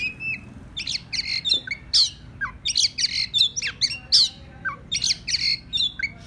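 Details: Oriental magpie-robin, a fighting-spirited bird used as a lure to call rivals, singing a busy run of sharp whistles, chirps and harsh squawky notes in quick bursts, steady and loud throughout.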